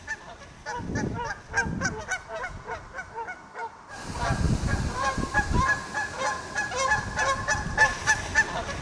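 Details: Goose calling loudly to another goose after landing in a pond; rapid harsh honks in two bursts, briefly pausing before resuming louder, with splashing and low water noise throughout.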